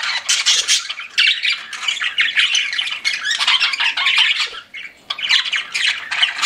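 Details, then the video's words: Several pet budgies chatter in a continuous, busy stream of warbled chirps, squawks and rasping notes, with a brief lull near the end before the chorus resumes. "CUTE PET BUDGIES CHIRPING"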